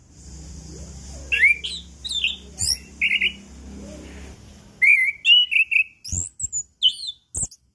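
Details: Chestnut-capped thrush song for coaxing silent birds to sing, morning to evening: scattered whistled and buzzy phrases over a low hum, then a lively run of rapid repeated slurred whistles and sharp clicks.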